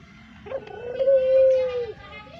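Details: Brown Barbary dove kept as a pet, a call used for luring: one smooth, sustained hollow coo held for about a second before dropping off, with faint murmuring in the background.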